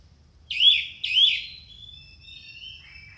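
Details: Orange-headed thrush, a loud tutor recording meant to stir silent caged birds into song: two strong, rich rising-and-falling notes half a second apart, trailing into thin, fading high whistles.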